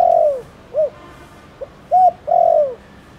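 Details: Spotted dove in Thổ Đồng style call, used to get other doves calling. It opens with a long falling croo and a short coo, then a faint pip, a clipped coo and another drawn-out sinking croo.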